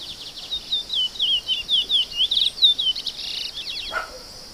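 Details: Chestnut-bellied seed finch delivering a rich warbled phrase of quick, slurred whistles and twitters lasting about three seconds, with a short lower note near the end, against continuous high insect buzzing.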